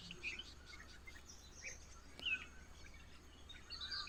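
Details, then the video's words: Wild birds heard in the morning, giving short high chirps and brief tweets scattered through a steady low background hum, with one louder sharp chirp near the middle. "morning i take the video bad listen sounds of birds"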